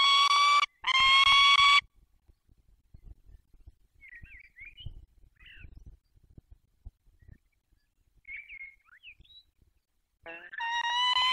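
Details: Peregrine falcons at a nest with four eggs in Dolina Baryczy, Poland, on 20 March 2022. Two loud, harsh wailing bursts open the recording and one returns at the end. Faint high chirps from small birds fill the quiet middle.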